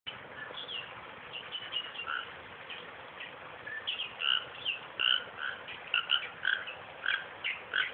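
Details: Western reed warbler filmed in a suburban park 20 km south of Perth: a harsh, chattering song of scratchy and whistled notes that quickens into rapid repeated phrases over steady background hiss.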